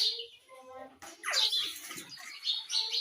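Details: A pet Rose-ringed (ringneck) parakeet gives a shrill screech that plunges steeply in pitch, then harsh, raspy chatter. A softer, voice-like tone comes first, in a small room.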